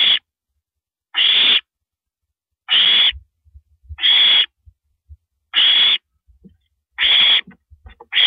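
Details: At 1:27 AM on April 9, 2012, a female owl swallows a rabbit on a live camera; six broad, raspy screeches come roughly every one and a half seconds, with soft knocking sounds in the gaps.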